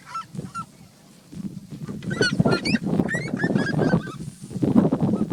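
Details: Trio of free red-legged seriemas singing as they sunbathe outdoors; rapid overlapping yelps, some rising and some falling, build into a dense chorus after a quieter opening, with low rumbling noise beneath.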